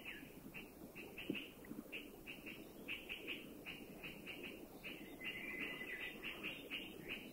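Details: Puff-throated bulbul in Thailand, a sentinel of the forest warning of anybody or any danger: rapid harsh chattering notes repeated several times a second over steady insect buzz and low background rumble.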